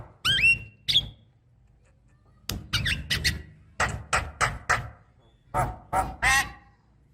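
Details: Black-winged starling calls used to coax young birds into calling: loud, harsh squawks in short bursts, some with ringing overtones, separated by pauses, over a low background hum.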